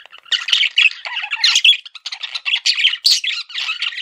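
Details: Continuous rapid chatter from a male pet budgerigar: jumbled buzzy chirps, clicks and squeaky notes run together without a break.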